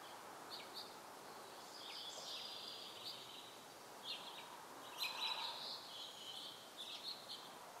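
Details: House finch recorded with a Panasonic Lumix GH2 camera: faint, scattered high warbled phrases with short chirps and gaps, set against steady outdoor background noise.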